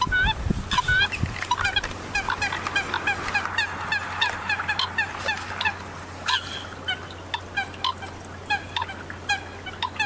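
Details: Common coots calling as a flock, many overlapping short honking notes, some clipped and nasal, others with a rising squeaky whistle, crowding together at an uneven rhythm. A steady low hum runs underneath.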